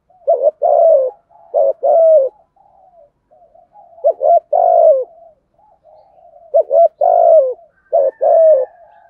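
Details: Deep-voiced (giọng thổ) spotted dove performing thúc gù coos, rút bổi style: repeated low mellow phrases, each a quick stutter of short notes then a long sliding coo, with faint murmuring coos filling the gaps.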